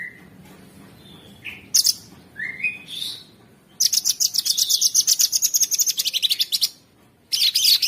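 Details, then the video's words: Sooty-headed bulbul masteran song with rough, continuous filling for training songbirds: a few rising whistled slurs, then a long, very rapid run of high buzzy repeated notes lasting about three seconds, followed by another fast burst. "Masteran Mewah Cucak Sungkok Buat Burung Jawara isian Kasar Ngebren Abis"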